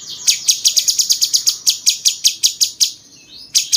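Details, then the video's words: Cucak cungkok bulbul singing in a style likened to cucak jenggot, used as a master recording for tutoring champion songbirds: rapid bursts of sharp, high, dry chirps, about fifteen per burst, with a faint thin whistle between them. "masteran paling banyak diminati burung jawara!!!cungkok rasa jenggot"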